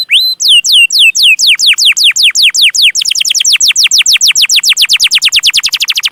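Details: Long chirping canary song for teaching young birds: downward-swept whistled notes that start slow and speed into a quick, even series of falling chirps.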